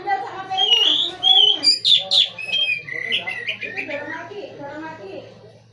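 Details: White-rumped shama kept as a prized cage bird pours out continuous song: bright, sliding whistles and sharp descending notes, then a rapid run of repeated chirps trailing off, with a faint low hum.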